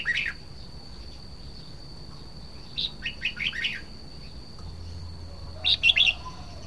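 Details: Red-whiskered bulbul singing: a short chirp, a pause, then a quick run of bright, bubbly notes, and later another brief, lively phrase. A steady high whine runs throughout.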